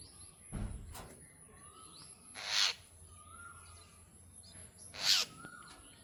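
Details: Jungle myna calling: two loud rasping squawks about two and a half seconds apart, with soft, slightly rising whistled notes between them over a constant hiss.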